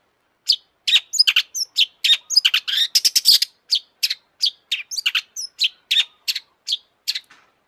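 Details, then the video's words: Long-tailed shrike in full song, given as a lure to rouse other shrikes to sing, with mimicked phrases of other birds: rapid, high, sharp chirps and buzzy notes in dense irregular bursts, loudest and most crowded near the middle. "kicau burung cendet gacor FULL EMOSI"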